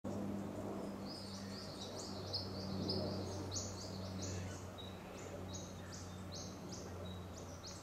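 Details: Eastern yellow robin (Eopsaltria australis) by the Hacking River, Royal National Park, giving quick runs of short, high piping notes, about three a second, over a steady low hum.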